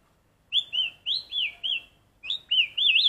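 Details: Black-collared starling singing while practising an imitation of the red-whiskered bulbul's voice: clear high whistled phrases, each a looping, wavering slur, delivered in two bursts separated by a short pause, on a quiet background.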